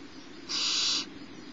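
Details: Single drawn-out hissing screech, about half a second long, from the littlest barn owl owlet at Starr Ranch as its mother feeds it on a March 2011 morning.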